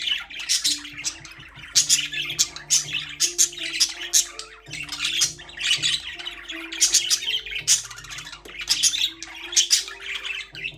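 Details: A group of pet budgerigars in a cage warbles and chirps in rapid, scratchy clusters with brief pauses, while gentle music plays a stepping low melody beneath the birds.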